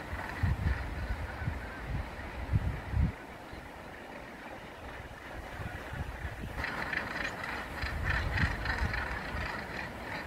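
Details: On 15 August 2019 at the Troup Head gannet colony, the largest on mainland UK, on a headland in Banffshire, Scotland, the harsh, grating calls of many Northern Gannets blend into a rasping chorus over heavy buffeting wind, growing louder in the second half.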